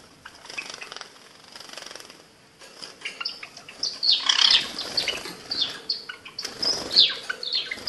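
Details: Privately bred male Java sparrow singing a lively run of sharp clicking chips and high bell-like notes that build after a quiet start, with soft wing flutters and rustling in between.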